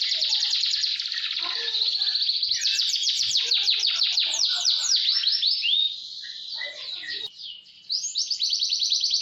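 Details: Canary singing as a tutor for roll: a long rapid trill of quick sweeping notes, then softer varied twitters and a renewed fast burst at the end.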